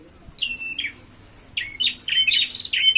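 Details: Prinia fighting call: a few spaced high chirps build into a fast run of sharp falling notes at the end, over a faint hiss.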